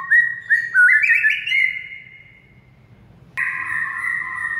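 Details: White-rumped shama training song to rouse a silent bird: quick upslurred whistles and a warbled flourish, then a pause and a long steady doubled tone.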